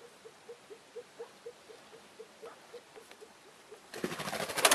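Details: Arriving female Elliot's pheasant: a steady series of soft, low clucking notes, roughly four per second, then a sudden burst of loud rustling and clattering noise over the final second.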